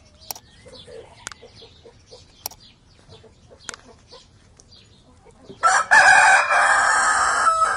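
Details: On a farm, soft, low chicken clucks and clicks over the first five seconds, then a loud, harsh, drawn-out rooster crow fills the end.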